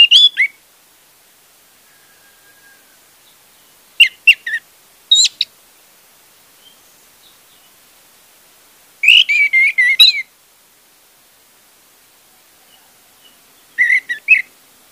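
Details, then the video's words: Orange-headed thrush song used as a lure to get a silent caged bird singing: scattered bursts of loud whistled, warbling phrases between 2 and 8k, about five short phrases with quiet gaps, the longest a rich rippling run near ten seconds. "pancingan anis merah untuk anis merah macet"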